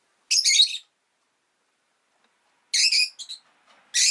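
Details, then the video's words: Rosy-faced lovebird kept as a pet, letting out long harsh chattering bursts of high, noisy chirps, the first lasting half a second, then another burst with short trailing notes and a final squawk. "Lovebird Chirping Sounds"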